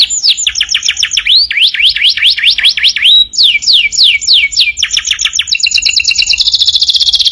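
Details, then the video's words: Canary's energetic master song for teaching other birds: rising and falling whistled sweeps in quick series, changing to descending slides and ending in a rapid, very high rattling trill. "masteran burung kenari gacor"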